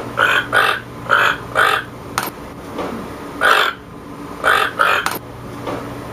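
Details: Toucan giving harsh, croaking calls in pairs and short bursts, each a broad hoarse croak, with a low steady hum throughout and a few sharp clicks.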